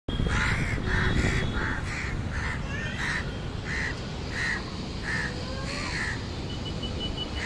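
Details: A crow at a nest on a high-rise apartment in Leipzig, Germany, gives harsh, nasal caws about every half second in an irregular series over a steady low rumble of city traffic.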